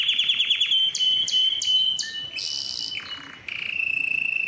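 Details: Canary singing to tutor young birds and prompt rival males: quick descending notes, a series of spaced clicking chips, a burst of harsh noise, then a steady low rolling trill.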